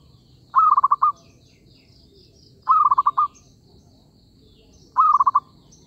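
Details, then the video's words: Zebra dove calling as a lure for trapping: three soft trilled coos spaced about two seconds apart, each a brief held tone followed by quick stuttering beats, over a steady faint high hum. "B.ẩy cu vằn p2"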